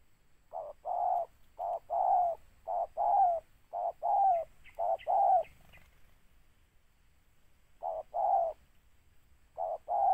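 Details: Spotted dove targeted in bird trapping, cooing in repeated pairs of a short note and a longer slightly falling note, about one pair per second, then a pause before resuming.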